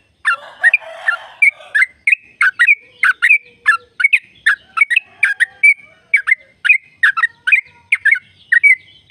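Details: Sooty-headed bulbul's long ropel song, played to stir caged birds into song: a steady stream of quick, chirping and bubbling notes, roughly three per second, with a brief rough burst near the start.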